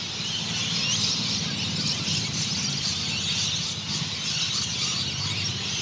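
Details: Rainbow and Scaly-breasted Lorikeets squabble over perches at day's end in the Noosa Biosphere Reserve, Queensland, Australia: a dense, harsh chorus of shrill, grating squeals from many birds, over low traffic rumble.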